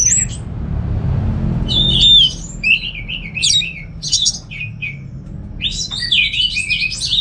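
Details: Caged orange-headed thrush in Singaraja, North Bali, sings a dense jumble of buzzy, wavering whistles and quick twittering notes in receh style. A quiet stretch comes first, with a constant low hum under all of it.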